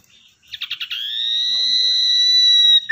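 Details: Common iora, wild-caught and tamed, used as a lure bird: a quick series of stuttered notes flows into a long clear whistle that grows slightly louder toward its end.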